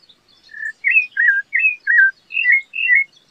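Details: Rufous-bellied thrush (sabiá-laranjeira) singing: a run of clear, fluting whistled phrases, each short and slightly varied, rising and falling, given in quick succession about twice a second with brief gaps, over a quiet background with faint high chirps.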